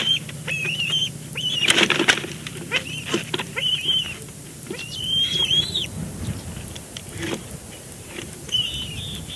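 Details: Bald eagle at its Big Bear Lake nest, live camera, 12 May 2022, moving fluff and branches: scattered high whistled and chittering call notes mixed with rustling, scraping and flapping sounds from the nest.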